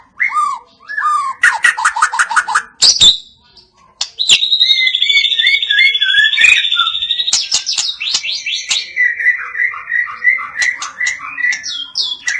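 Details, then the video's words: White-rumped shama of the Medan type with cililin-style notes and besetan; varied loud song of rapid repeated chips, a long sustained high whistle, sharp clicks and a closing run of rolling whistled notes. "Murai medan Tembakan cililin dan besetan bikin ngilu"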